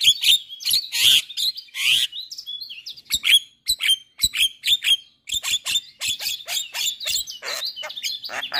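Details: Caged Javan myna singing, used to coax moulting or mute mynas into song: loud harsh bursts and squeals followed by rapid rhythmic series of clipped, metallic chirps.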